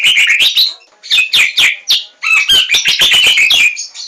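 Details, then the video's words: White-rumped shama song meant to draw other birds into singing. Dense bursts of chirpy, squeaky notes come in rapid clusters, pausing briefly between phrases. "Suara Pancingan Burung Murai Batu"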